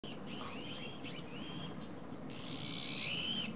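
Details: Great crested grebe giving short, thin squeaky notes in quick succession during its courtship ritual, followed by a brief burst of hissing, over a steady low rumble.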